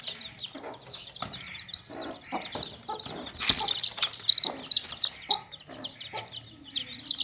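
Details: Chicks cheeping nonstop in a tokri basket, crowded high piercing chirps in an overlapping chorus, punctuated by occasional muffled clucks from hens nearby.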